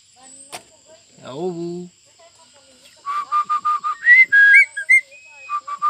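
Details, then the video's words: A talking pet Javan myna, said to say "Pancasila" and "pagi" each morning, gives a gruff, speech-like drawl, then a quick run of about seven clear whistled notes rising into higher squeaky phrases, over a faint hiss. "BURUNG JALAK BISA NGOMONG"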